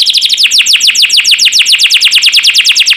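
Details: Canary singing for training birds: a continuous, regular trill of downward-sweeping whistled notes, about nine per second, loud throughout.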